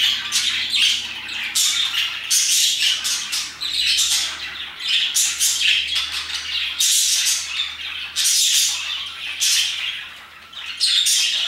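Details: A group of parakeets around 2pm, chirping and singing their hearts out: dense, overlapping high squawks and chirps in rapid bursts, with short pauses between the loud flurries.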